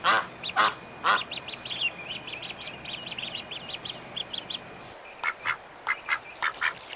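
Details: Young ducks give a few harsh quacks at the start, followed by rapid high-pitched peeps that carry on throughout.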